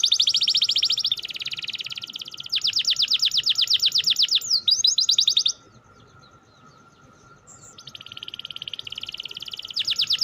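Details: Canary delivering long rolling 'ngerol' trills, aimed at getting idle canaries to sing: several fast buzzy trill runs and sweeping notes, a silent gap of about two seconds, then renewed rapid trilling; steady low hum.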